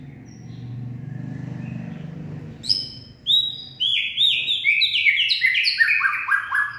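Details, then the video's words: White-rumped shama singing in the late afternoon on 18 February 2024: after a low hum, a cascade of clear whistled notes begins, each stepping downward, repeated rapidly about twice a second. "Purebred Bird Song And Dancing/ Birds white-rumped shama.Late Afternoon Singing."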